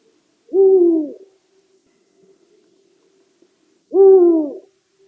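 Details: Two low, deep hoots from a Eurasian eagle-owl, each about three quarters of a second long and gently falling in pitch, spaced roughly three and a half seconds apart, with near silence between them.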